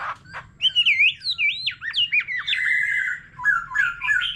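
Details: White-rumped shama, an old wild-caught bird, in varied solo song beside a laughingthrush: looping, swooping whistled phrases that rise and fall quickly, then a long steady whistle and short warbles.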